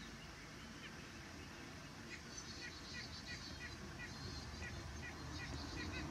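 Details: White-breasted nuthatch giving a run of short nasal notes, repeated about three times per second from the second second onward, fairly faint over a steady low rumble of background noise.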